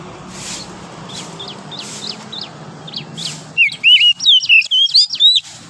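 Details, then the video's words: Wild oriental magpie-robin singing in forest in the morning: faint repeated short notes at first, then a loud run of clear whistled, rising and falling phrases in quick succession over steady background hiss. "OCEHAN KACER DIAPAGI HARI, suara asli kacer hutan liar"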